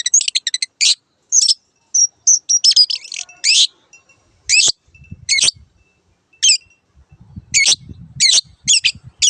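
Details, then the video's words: Long-tailed shrike in a training recording for caged birds: fast scratchy notes and thin whistles at first, then spaced single harsh notes, with faint low noise. "MASTERAN BURUNG CENDET"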